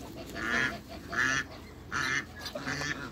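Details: Farmed African geese in Greece, three birds being met, giving a run of four higher, shorter honks at a steady pace of a little under one per second.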